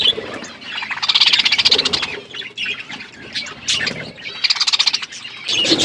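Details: Pet budgies eating and chirping, two loud bursts of rapid pulsed high chatter separated by softer warbling and scattered chirps.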